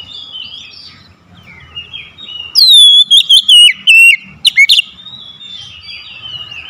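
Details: Lure oriental magpie-robin meant to draw silent birds into singing; soft wavering whistles lead into a loud run of quick, downslurred, ringing notes, then fade back into quieter twittering.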